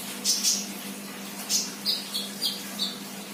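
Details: Untrained sunbird singing actively with a few sharp, very high chirps, then a string of short, slightly falling notes about every third of a second, over a low steady hum.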